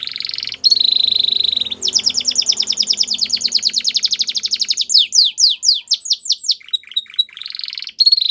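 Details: Belgian canary singing, a loud varied song of rapid repeated phrases: a steady trill near the start, fast buzzy rolled trills, then a series of sharply falling whistled notes and short chirps, with faint low hum beneath.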